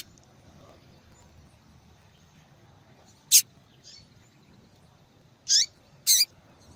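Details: Female Double-collared seedeater giving calls meant to stir males into song; after a quiet stretch, three sharp high chips arrive in the last few seconds, the final one doubled, with a fainter note earlier.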